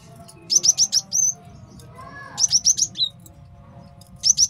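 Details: Male Java sparrow song used as a master for training birds and trapping: bursts of four or five rapid high chips ending in a short whistled note, repeated about every two seconds.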